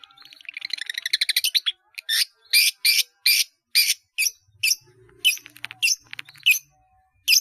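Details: For training caged birds, a long-tailed shrike delivers mimicry-laden song: a quick stuttering trill of rising notes, then loud sharp chips about every half second, with brief harsh notes among them.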